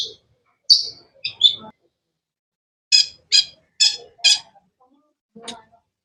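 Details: Long-tailed shrike giving sharp, harsh chirps: a burst of scratchy notes, then four evenly spaced rasping chirps about half a second apart, and one last short note after a pause.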